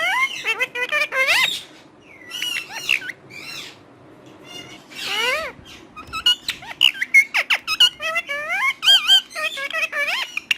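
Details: Chatty parrot mixing speech-like syllables with shrill squeaks and harsh noisy squawks, a quieter stretch in the middle before a fast run of short wavering notes.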